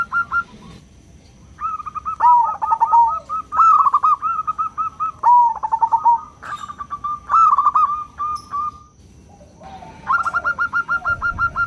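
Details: Local zebra dove singing in the clear 'crystal' style used to call companions and stir other doves: several phrases of rolling staccato coos, with slurred downward notes between steady repeated runs.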